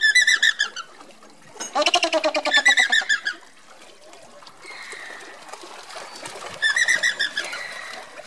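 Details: Andean flamingos marching together; bursts of rapid, nasal, honking notes from several birds, with pauses between outbursts and faint lower chatter in the gaps.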